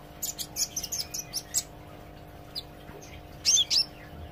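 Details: Olive-backed sunbird learning to sing loudly: a rapid burst of high chips, a pause with a lone note, then two loud, sweeping whistled phrases, all over a steady low hum.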